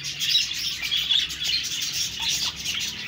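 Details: Steady twittering chatter from several budgerigars, high rapid chirps overlapping into a busy, unbroken warble.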